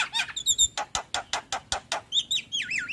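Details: Javan myna, white-eyed form, used as a lure to get reluctant birds singing: a steady series of harsh clipped notes about five per second, then looping, wavering whistles toward the end.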